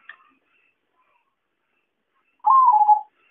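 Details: Zebra dove trapping lure: a faint click, a long pause, then one rolling coo that starts higher and drops slightly, lasting about half a second.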